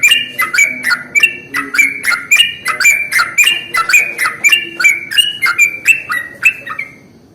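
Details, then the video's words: Yellow-vented bulbul song used as a lure for other bulbuls. A lively chatter of bubbly, warbled notes runs for about seven seconds, with nearly two notes a second, swinging up and down in pitch, then fades out. "SUARA pancingan paling AMPUH untuk Trucuk jenis apapun"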